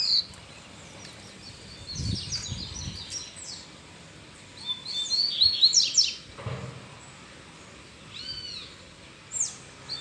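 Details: Free-flying male double-collared seedeater singing while a female is nearby, returning to normal form: bursts of high, rapid chirping and twittered notes, interrupted by rustling and handling noises in between.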